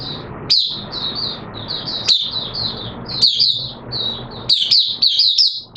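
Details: Oriental white-eye, a hobby song bird, in open song during wet weather: continuous high twittering with sharp upswept notes, faint background hiss underneath.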